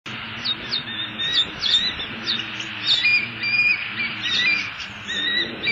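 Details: Bald eagles at a southwest Florida nest as the male brings a headless fish to the female: a rapid series of thin, high chittering whistles runs throughout, with faint low background rumble.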